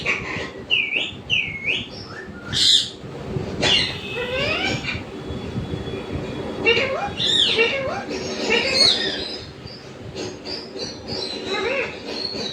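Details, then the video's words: Pet parrot kept at home, heard talking: a run of varied harmonic squawks, clipped syllables and short upward whistles, some rising and falling, with a steady low hum of background noise. "मिट्ठू की आवाज"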